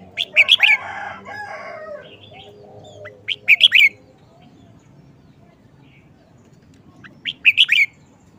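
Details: Red-whiskered bulbul in short song style, singing eagerly. Three quick phrases of three or four bright, lilting whistled notes come roughly every three to four seconds. Softer warbling follows the first phrase, over quiet background noise.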